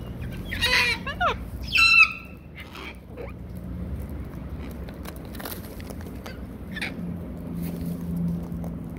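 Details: An Australian cockatoo at feeding time gives two harsh, raspy screeches in the first two seconds, then a softer squawk later over a steady low background hum.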